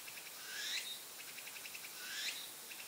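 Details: Asian brown flycatcher in a park in the morning, calm and unwary. Two thin, sweeping rising calls come about one and a half seconds apart. Steady trains of pulsed high chirping run underneath throughout.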